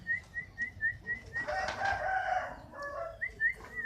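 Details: Fighter-type canary: repeated short whistled notes at the start and end, while a rooster crows loudly in between.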